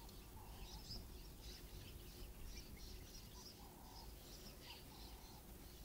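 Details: A wet, bedraggled juvenile Red-billed buffalo weaver begs its father for food with quick, repeated high chirps and a few lower notes. The father was feeding on White Berry Bush fruit at Mpondo Dam, Kruger National Park. A steady low rumble of wind runs underneath.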